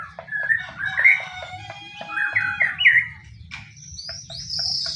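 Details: White-rumped shama lure song meant to make any other shama join in singing: varied whistled and slurred phrases around mid pitch with short clicking notes, then higher thin whistles near the end, low hum underneath.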